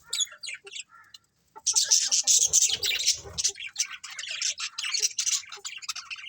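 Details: Budgerigars in a colony: a few soft chirps, a second of quiet, then a loud burst of busy high chatter and squawks from several birds, continuing steadily to the end.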